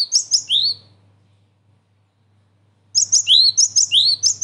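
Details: Cinereous tit (gelatik batu) calls used as a trapping lure: two bursts of quick high chirps with rising, slurred whistles, the second burst after about two seconds of silence, with a faint low hum underneath.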